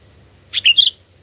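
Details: Sooty-headed bulbul singing, the sound used to lure birds for catching: one brisk three-note whistled phrase, bright and gurgling, with a soft low hum behind.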